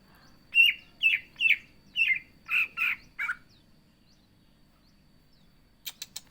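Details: Energetic cucak ijo (greater green leafbird) song: seven rich, buzzy chirps about half a second apart, then silence and a few sharp ticking clicks at the end.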